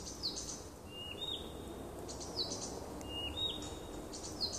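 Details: Nightingale singing in a small wood near a house on 30 June 2015: short descending whistles with clicks, repeated roughly once a second over steady background noise.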